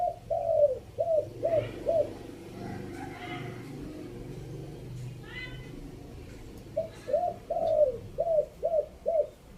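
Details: Spotted dove from Chiang Mai giving a three-note decoy coo: a run of low, hollow coos, then a pause filled with human speech, then another rapid series of hooting coos.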